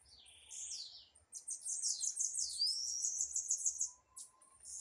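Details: Disputing blue-black grassquit; a short descending phrase, then a loud, fast sequence of high buzzy notes with a rising slurred whistle, trailing off into quiet.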